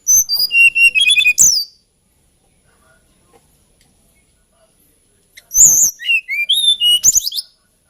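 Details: Two phrases of sweet, high whistling from a hill blue flycatcher, a songbird of Java and Kalimantan, each a quick string of clear notes ending in downward slurs, with a pause of nearly four seconds between.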